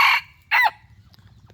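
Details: Tail of a decoy rooster's crow: a harsh, noisy burst, a pause, then a final hoarse note that bends upward and fades, over a low throbbing hum with faint clicks.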